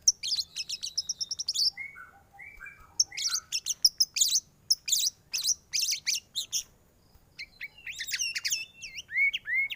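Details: An energetic white-rumped shama sings varied fill-in phrases as a training model for other birds: fast high chatter, a run of lower soft whistles, dense sharp trills, then looping whistled slurs.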